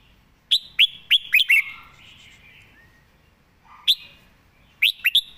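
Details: Red-whiskered bulbul in a cage, noted for its fine voice, giving loud, crisp whistled notes that slide downward, first in a quick run of five, then a lone note and a short triple.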